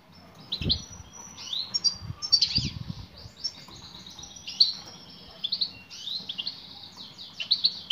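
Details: A female European goldfinch calls to a male, giving steady high twittering and tinkling chirps, with a few soft low thumps near the start.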